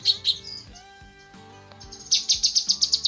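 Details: Female cucak kinoi leafbird calling to the male, in a training recording for cage birds: sharp high chirps, a thin whistle, then a fast burst of bright repeated notes, over faint steady low tones.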